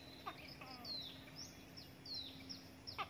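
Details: Begging hill prinia nestling fed a gecko and a grasshopper by its parent: several high, sharply falling squeaky notes in quick succession, mixed with a few soft clicks and rustles.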